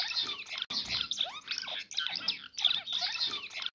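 Cut-throat finch singing: dense, scratchy chatter mixed with thin squeaky slurs, delivered in quick bursts separated by brief gaps.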